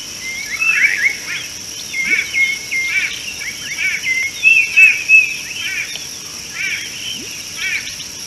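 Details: Common bulbul at an African watering hole, recorded by a live wildlife camera on 13 March 2018; lively chattering phrases of slurred, warbling notes in quick bursts, over a steady high-pitched insect drone.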